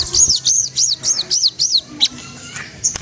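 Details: Magpie-robin, spotted type, singing to provoke a rival and stimulate singing. A series of six high, arched whistled notes comes quickly and evenly. It ends with a few sharper scattered chips.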